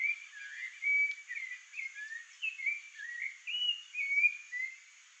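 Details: A Rufous-bellied Thrush (Turdus rufiventris) guarding the area around its nest sings a steady run of rich, fluty whistled phrases, rising and falling, about two per second, over a faint high hiss.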